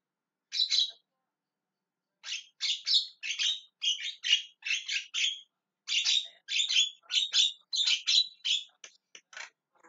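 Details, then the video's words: Javan myna calling insistently, giving a single rasping squawk and then a long, almost unbroken chatter of about fifteen harsh, scratchy notes in quick succession that fade into short clicks at the end. "JALAK KEBO TERIAK TERIAK MEMANGGIL"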